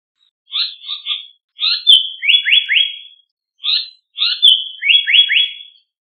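Japanese paradise flycatcher sings two phrases: a few scratchy notes, a drawn-out high whistle, then three quick falling 'hoi' notes. The background is quiet.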